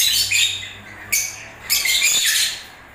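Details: Shrill, rasping lovebird chatter during breeding season, in three overlapping bursts that fade toward the end.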